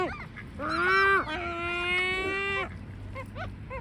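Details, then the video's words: Two long, harsh, nasal complaining calls from great black-backed gulls, run almost back to back, followed by a few faint short notes in the background. "SVARTBAK SEAGULLS FUNNY COMLAINING SOUNDS"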